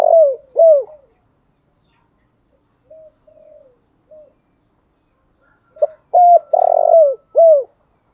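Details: Decoy spotted dove giving its morning call: two falling coos, a pause with soft distant coos, then a full phrase of short coos, a long buzzy coo and a falling end note.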